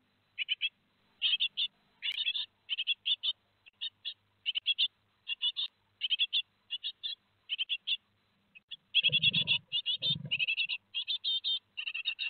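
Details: Great tit nestlings at Théding, 15 July 2020, two days before fledging: a long run of raspy paired chirps that intensifies near the end into continuous rapid buzzing, with a few low thumps and a sharp click.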